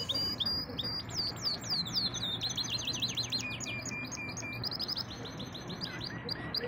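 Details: Singing pet canary: quick repeated upslurred and downslurred whistles forming rolling trills, sweeping wavy notes and short chirps, with a steady low hum underneath.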